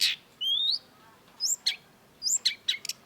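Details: Long-tailed shrike (cendet) singing vigorously ('gacor'): a sharp high burst, a thin rising whistle, then scattered short high chips and squeaky notes separated by brief pauses.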